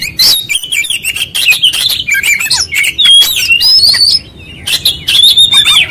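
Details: Oriental magpie-robin in persistent, rapid song unloading all its material: bright chirps and buzzy bursts, clear upward-gliding whistles, and a short pause before another run of sweet whistled notes.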